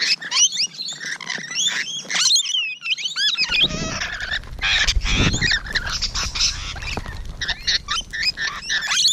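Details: Rainbow Lorikeets heard up close on 12 June 2017 in the morning, a noisy flock of shrill whistled squeaks and grating screeches, with a low rumbling thump partway through.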